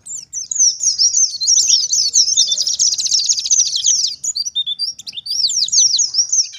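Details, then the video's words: Oriental white-eye of the wild forest type, in energetic full song played as a lure to draw wild white-eyes into answering. Rapid, high, thin twittering with dense slurred chirps runs almost continuously, with a brief pause before a final burst. "BURUNG PLECI gacor ngalas nembak || PANCINGAN PLECI NGALAS"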